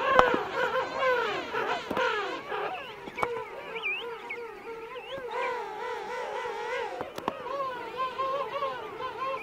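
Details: Colony of King penguin adults and chicks at Right Whale Bay, adults calling close up; long quavering, trumpeting phrases rising and falling, many birds overlapping, with occasional sharp knocks.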